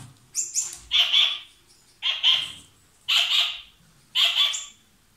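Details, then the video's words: A lovebird pair, kissing or exchanging food, repeats a harsh, grating chatter about once a second. Four similar buzzy bursts each open with a brief higher note. "Gli inseparabili | 20minutes Love birds Sound"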